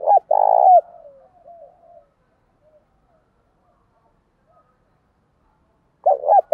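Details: Spotted dove, a decoy bird cooing to call wild doves, which answer and coo back in contest: two loud low cooing phrases, one at the start and one at the end, with softer murmurs between.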